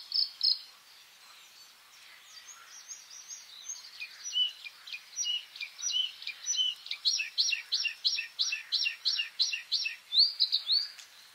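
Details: Song of the white-spotted bluethroat (Luscinia svecica cyanecula) recorded in May: scattered chips lead into a long, steady series of repeated bright, twangy notes, about two per second, closing with a rolling warble.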